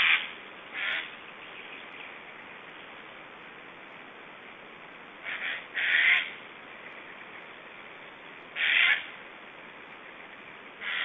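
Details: Estonian black storks during feeding at the nest, 1 July 2012: a few scattered harsh, grating calls, short and several seconds apart, with long quiet hissy gaps between them.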